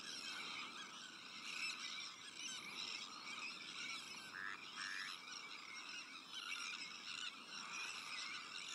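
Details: Many Sandwich terns calling in their breeding colony, with black-headed gulls, Arctic terns and common terns nearby; overlapping grating cries form a steady din, with a couple of short, clearer downward notes and faint low rumble underneath.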